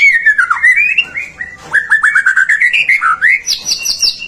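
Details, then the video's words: White-rumped shama singing vigorously to stir other shamas into song; sliding whistled phrases wander up and down, followed by a quick series of short notes and high ringing whistles at the end. "Suara murai batu gacor AMPUH buat PANCINGAN murai batu agar BUNYI"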